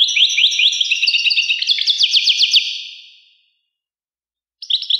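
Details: Sweet high twittering from a European goldfinch: rapid chirps, then a run of sharp, evenly spaced upswept notes that fade away. A short burst of twitter returns near the end.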